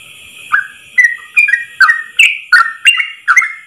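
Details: Yellow-vented bulbul in a 'ropel' song for training caged birds: after a short quiet start, bright whistled slurs follow one another quickly, rising in pitch toward the end.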